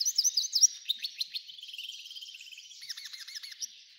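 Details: F1 hybrid goldfinch in full song: loud twittering notes at first, a soft rolling buzzy trill in the middle, then a run of sharp repeated chirps before fading.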